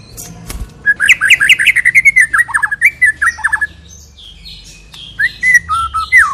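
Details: White-rumped shama song played as a lure to make other shamas sing: a click, then rapid varied whistled and slurred notes, a brief pause, and more swooping whistles.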